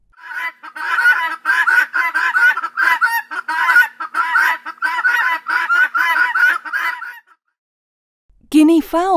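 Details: Helmeted guineafowl (Numida meleagris) giving a harsh, grating cackle, rapid and continuous for about seven seconds; a person's voice follows briefly.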